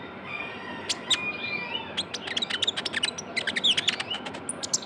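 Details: Vocal young Javan white-eye, a lure sound: dense runs of quick high ticks and chirps, speeding into a busy chatter through the second half, with faint hiss underneath.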